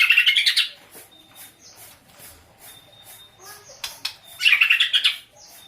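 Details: White-rumped shama, described as easily agitated, giving two bursts of rapid high whistled notes separated by a quieter stretch of faint chips and clicks.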